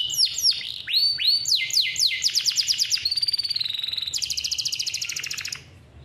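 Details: Captive male canary with a long roll for teaching young canaries: swooping whistled notes, a rapid buzzy rattle, a sustained fluttering tone, then a fast high trill before the song stops.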